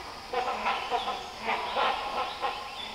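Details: Several wild Great Hornbills calling near a forest walk in the Nelliyampathy Hills, Western Ghats, Kerala, India, recorded on a Zoom H2n: harsh, nasal honking barks repeated in quick uneven bursts, about two or three per second, over a soft forest hiss.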